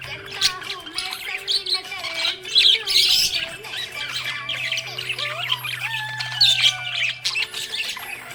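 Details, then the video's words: Cheerful budgie chatter: rapid scratchy squawks and chirps overlapping in bursts, over a low steady hum and faint tonal background. "Happy budgie chirping sound"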